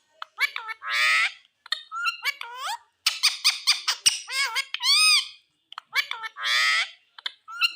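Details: {'caption': 'Indian green ringneck parrot talking: rapid bursts of high, harmonic, speech-like chatter with arched and wavering notes, broken by short pauses, in a small room.'}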